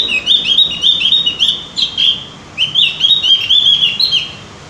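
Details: Javan grey-throated white-eye, or cucak gentong, on a track meant to make birds sing: continuous quick high warbling of slurred, rising and falling chirps, with a brief pause in the middle.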